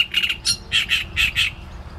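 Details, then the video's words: Great reed warbler singing: loud, harsh, grating notes in quick repeated pairs and triplets, a chattering croaky rhythm with brief gaps and faint low rumble beneath. "Trzciniak i jego śpiew"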